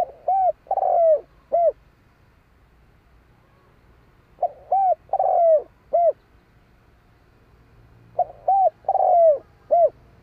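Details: Spotted dove cooing in a repeated phrase: short soft notes leading into a long drawn coo and a final clipped note, the phrase given three times about every four seconds.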